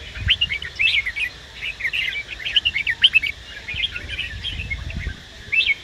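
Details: Male red-whiskered bulbul, taken from the wild, singing while a female eggs him on. Choppy series of clear chirps and rising slurred whistles, uneven in spacing, with a few low thumps.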